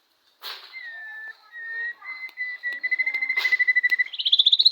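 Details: White-rumped shama song played to provoke another shama into singing: a long, clear whistled note sliding slightly upward, then a rapid pulsed trill that jumps higher and quickens toward the end.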